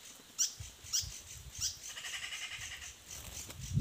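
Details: Nestling birds beg from the nest with three quick, high, upward-sweeping chirps about half a second apart. A longer, buzzier squeaking chatter follows, and a low knock comes at the end.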